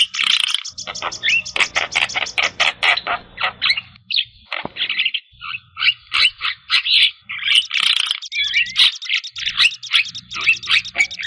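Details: Full 'isian' Javan myna song for rousing stressed or silent mynas: a nonstop stream of rasping chatter and sharp squeaky notes, evenly spaced rapid bursts with a steady low background hum.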